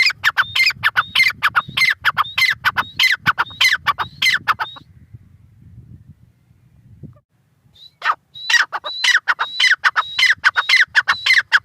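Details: Grey francolin giving its rapid grating call series, sharp notes with a high whistled lead-in, breaking off for about three seconds of quiet before the rhythmic calling resumes.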